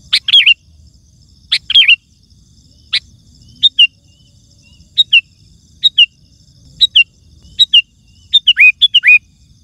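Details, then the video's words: Sooty-headed bulbul song used to draw in wild birds: a few fuller gurgling phrases at first, then a run of shorter, thinner two-note whistles roughly every second, ending in a burst of rapid sliding notes. "Suara Burung Kutilang Gacor❗ Lantang Bikin Gacor Kutilang Lain"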